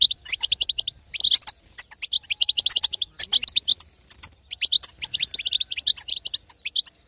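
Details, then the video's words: Female European goldfinch giving a betbeta chatter meant to rouse a silent male into singing: dense bursts of bright, rapid twittering notes, several short phrases separated by brief pauses. "أقوى بتبته حسون تهيج وتهبل الحسون الساكت"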